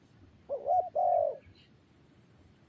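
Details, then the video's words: A single spotted dove phrase: a short wavering double note, then a longer, steady mellow coo, over low background noise. "GELAGAT BURUNG TERKUKUR | SUARA YANG PADU"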